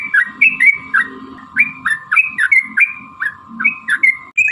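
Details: Sooty-headed bulbul calling with quick, bubbly slurred notes in uneven clusters, a recording meant to make other birds sing back; faint low hum and a steady thin whine in the background.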